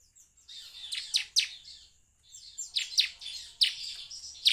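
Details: Bar-winged prinia lure song meant to make birds start singing. Two phrases of piercing, high, downward-slurred notes rise from a soft twittering start. A short gap separates the phrases.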